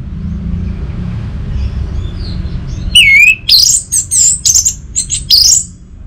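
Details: Orange-headed thrush song aimed at coaxing a silent cage bird: after quiet hum, a looping downslurred whistle, then rapid high chirped and whistled notes in short groups.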